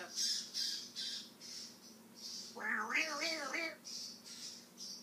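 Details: Male African grey parrot mimicking words: a short wavering, voice-like phrase with stacked harmonics in the middle, set among repeated hissy, breathy bursts.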